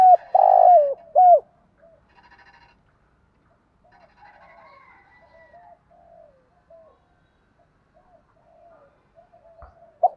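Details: Cooing of male and female spotted doves used to stimulate a trained bird: a loud cluster of husky coos at the start, then a long stretch of faint, soft coo notes.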